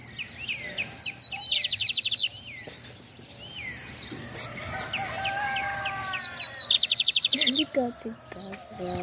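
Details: Lined seedeater singing by a river in Brazil: two loud, high phrases of quick chips running into a rapid buzzy trill about five seconds apart, with softer sweeping whistles from other birds between them and a low rhythmic knocking near the end.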